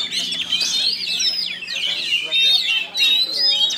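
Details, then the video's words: Oriental magpie-robin singing at a bird-singing contest in Kinali, West Pasaman, where it took first place; a rich, fast stream of whistled and scratchy phrases sweeping up and down, with voices talking low in the background. "Suara burung - Kacer"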